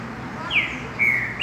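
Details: Green-winged saltator singing in mateiro style: two clear whistled notes, the first sliding down, the second a long level whistle ending on a brief higher lift, over a low steady background hiss.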